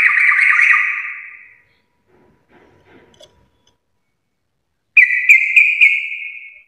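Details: Sooty-headed bulbul in full garuda song: a loud raspy trilled burst that fades, near silence with faint scraps for about three seconds, then a sudden strong buzzy trill punctuated by sharp clicks.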